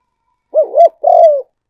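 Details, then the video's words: Spotted dove decoy call, used for luring: two loud low coos in quick succession, the second longer and gently falling, in a quiet setting. "cu gay moi chuan mp3"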